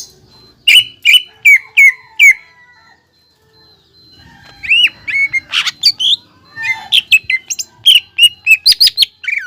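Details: Cucak ijo bahan, the greater green leafbird, singing as a lure to make other birds sing: loud bursts of sharp whistled notes, about three per second, a quiet gap, then a faster, more varied run of chirps and slurred whistles.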